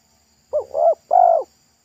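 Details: Spotted dove with a strong pesom-style song at a roadside lure site. A single phrase of two soft, wavering hoots leading into a longer, louder downward coo.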